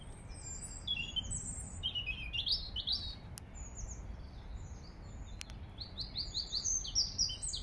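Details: Eurasian robin in Regent's Park, London, singing high, thin warbling phrases of quick varied notes that slide up and down, delivered in short bursts separated by brief pauses, over a steady low rumble of distant traffic.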